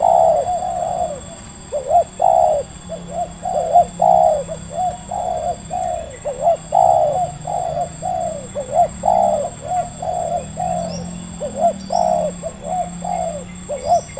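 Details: Wild local spotted dove in Indonesia with a medium-pitched voice, lured by a decoy bird: steady series of short, mellow coo notes in mid pitch, repeated about once a second for the whole stretch, over faint low background hum.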